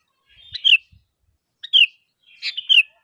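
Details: Lure calls of a lively sooty-headed bulbul meant to draw replies from other bulbuls: three short bubbly phrases, each ending in a downward slur, spaced roughly a second apart.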